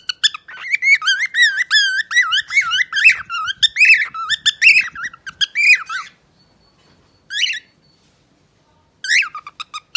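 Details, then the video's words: A parrot named Shu Shu, described as happy, sings a rapid, varied run of whistled and warbled notes with harsh squawky edges for six seconds, then two short whistled bursts after pauses. Finding: parrot. "Pappagallo canta bellissimo )) Professional singer - parrot Shu Shu. Singing parrot"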